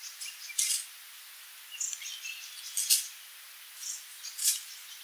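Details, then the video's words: Sooty babbler (Stachyris herberti) calling with sharp, high-pitched squeaky chips in small clusters about once a second, with softer thin notes in between over a faint background hiss. "Tiếng chim Khướu đá mun, Sooty Babbler, Stachyris herberti [Bird sound]"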